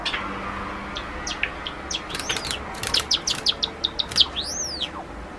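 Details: Two pet male Java sparrows, a sakura-colored and a salt-and-pepper bird, both three and a half years old, singing together indoors: quick clicking chirps in a loose run, then rising and falling drawn-out whistles toward the end.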